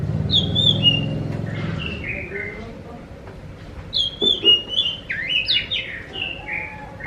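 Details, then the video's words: Singing Oriental magpie-robin (kacer), played to lure other magpie-robins into answering: two bursts of sweet whistled phrases, slurring downward, separated by a pause, with a low droning hum during the opening. "Pancing burung Kacer anda dengan suara burung ini"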